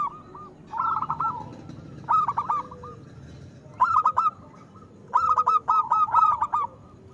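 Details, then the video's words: Zebra dove of local stock with a strong voice, used to coax silent doves into song: several phrases of quick, rolling coo notes spaced a second or so apart. "Perkutut lokal gacor Suara Besar Pancingan Untuk Perkutut Susah Bunyi"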